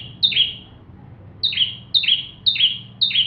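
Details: Bar-winged prinia in full vigorous song used to tutor magpie-robins; five sharp high phrases, each a whistled note falling into a buzzy downslur, spaced roughly half a second to a second apart.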